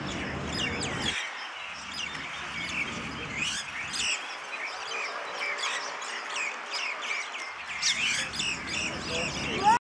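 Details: A flock of common mynas in Tel Aviv keeps up a dense, overlapping chatter of harsh squawks, clicks and sharp whistles, with low background rumble and faint voices.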